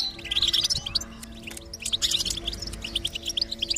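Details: Goldfinch twitter of quick staccato chirps and tinkling notes in rapid succession, played to encourage a silent goldfinch to sing, over soft sustained musical tones.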